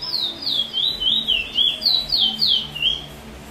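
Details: A Trinidad bullfinch (chestnut-bellied seed finch) sings a fast, sweet 'chee chor weet sweet' roll of high, downslurred whistled notes, about four phrases a second, running on without pause.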